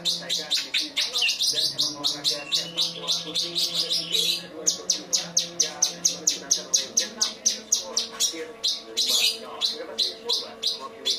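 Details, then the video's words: Cucak cungkok in song with 'kinoi' material, pouring out a long run of quick, crisp, high chips, about two per second, with a brief rising whistle near the start and a low steady hum behind. "Cungko materi kinoi"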